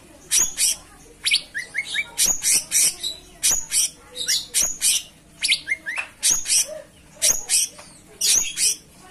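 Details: Cucak cungkok in continuous lively song: dense sequence of sharp high chirps interspersed with short rising whistles grouped in threes, almost without pause.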